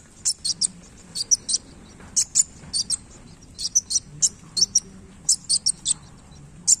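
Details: Energetic sunbird song given during tail-flicking display: bright, needle-thin chips delivered in tight clusters of two or three, spaced by brief silences, with soft low rumble behind.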